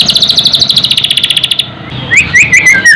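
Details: Shama song for tutoring birds and raising their excitement: a rapid pulsing trill for over a second, then a pause and several bright rising whistled notes.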